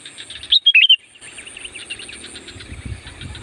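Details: Sooty-headed bulbul, loud song used as a lure to call in wild bulbuls: a single brisk phrase of four bright, warbled notes, then soft chattering and insect-like buzzing in the background.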